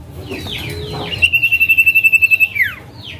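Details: Common iora (cipoh) male giving the 'calling name' call as a lure for a silent bird: a few falling whistles, then a long, even, rapidly pulsed trill ending in a downward swoop, over a faint low hum.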